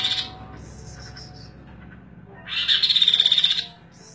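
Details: Energetic song of the bird called kaso-kaso, kidangan or tepus glagah in Indonesia, meant for tutoring other songbirds: after a quiet stretch with a faint brief chirp, a loud rapid trill of about a dozen sharp repeated high pulses runs for one second.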